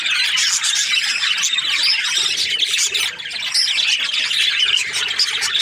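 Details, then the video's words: Budgerigars kept as breeding pairs chirp together in a dense flock chorus of overlapping squawks and warbled chirps, continuous throughout with no pause. "Budgies parrot chirping sounds | breeding pairs"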